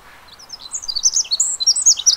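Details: Pacific wren at Mamquam Spawning Channels, a rapid high tumbling series of thin trills and chips that builds in loudness through the phrase, with a quiet background.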